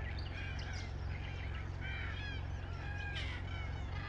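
Red-tailed black cockatoos give rolling, grating calls, several overlapping in quick succession, over a steady low rumble.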